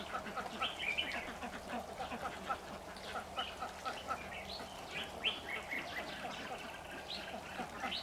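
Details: Caged red-whiskered bulbul used as a lure bird in a trap set in a jujube tree, 26 September 2019. Short warbled, whistled phrases around mid-high pitch come in quick succession over a steady low background hum.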